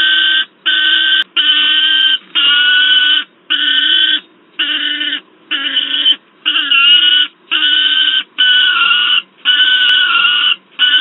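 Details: Juvenile peregrine falcon, noisy, with an adult at Wałbrzych, Poland, August 2022: around eleven grating screams in steady succession, some wavering in pitch, each close to a second long.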